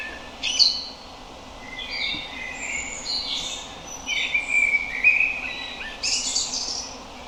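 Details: Common blackbird (Turdus merula) with a run of varied warbled phrases, mid-pitched fluty notes mixed with thin high squeaks and twitters, several short bursts over constant low hiss.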